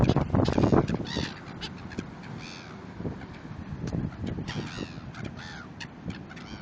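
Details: Hungry seagulls in Cape Town, South Africa: several harsh, harmonic calls rising then falling, scattered across the clip with overlapping voices, over steady low rumbling background noise.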